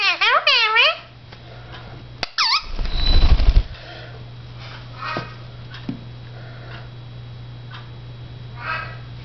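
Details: Blue Indian ringneck parakeet, a pet indoors, talking to himself in a mirror: a burst of quick, wavering, harmonic speech-like syllables in the first second and a short squeak, then rustling and long near-quiet stretches with faint chirps.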